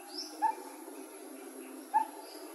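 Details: Coppersmith barbet, 2020 footage, giving two slow, isolated hollow notes about one and a half seconds apart, with soft background hiss and faint higher bird sounds.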